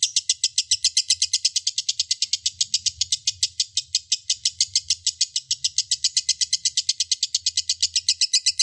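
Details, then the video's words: High, piercing lovebird chatter pouring out steadily for several seconds, dense rapid ticking chirps without pause, over a quiet low hum. "SUARA BURUNG LOVEBIRD SANGAT MEMPESONA"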